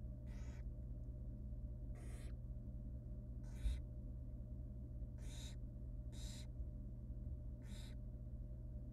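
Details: Hungry barn owl nestlings calling as the female feeds them rabbit in a wild nest box; six short hoarse hissing bursts spaced roughly one to two seconds apart, over a continuous low-pitched background hum.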